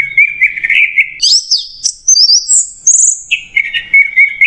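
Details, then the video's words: Masteran-style "macet jernih" song of an orange-headed thrush: a mid-pitched warbling opening, then a climb into thin high whistles and a sustained piercing note before dropping back to lower warble. "MASTERAN ANIS MERAH MACET JERNIH"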